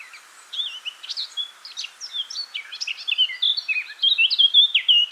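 A Eurasian blackcap sings a fast, scratchy warble of varied high notes that grows louder and ends in clear, fluting whistles, about five seconds long.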